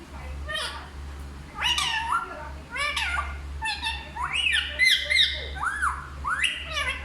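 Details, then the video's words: Parrot talking in Hindi in a lively stream of rapid, rising and falling voice-like syllables, some squawk-like, several in close succession. A steady low hum is present. "सबसे अच्छा हिंदी बोलने वाला तोता ll Parrot Talking"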